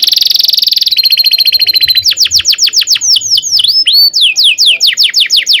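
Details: Canary delivering its long rolling song, played to teach young canaries. A rich buzzy roll and a thinner trill lead into a long series of loud sweeping down-slurred whistles, a few per second.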